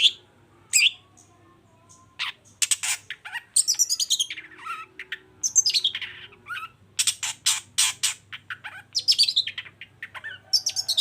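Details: Long-tailed shrike singing to provoke silent birds into song: one sharp note, a pause, then long busy bursts of mixed scratchy chatter, squeaks and quick trills.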